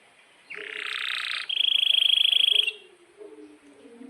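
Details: Canary in breeding condition giving a harsh buzzy burst, then a fast, even, pulsed roll held on one high pitch for about a second.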